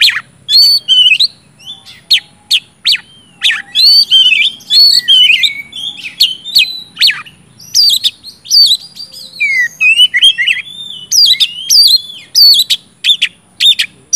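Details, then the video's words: Oriental magpie-robin in full, loud song, used to stimulate silent birds into singing: varied high whistles and sharp chirps, rising and falling notes, delivered in rapid bursts with brief pauses throughout. "BURUNG kacer gacor ngeplong,sangat cocok buat pancingan kacer macet/bahan auto gacor ngeplong"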